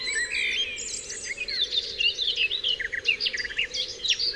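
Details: Dense dawn chorus on Dewlands Common, high chirps, clipped whistles and trills from several birds at once, growing busier toward the end, with a low hum behind.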